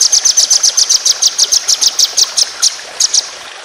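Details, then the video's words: Long rapid-fire 'tembakan' phrase of a white-rumped shama: about twenty high, bright notes fired evenly, slowing slightly near the end, with light background hiss. "Masteran Burung Lomba Tembakan Panjang Roll Speed"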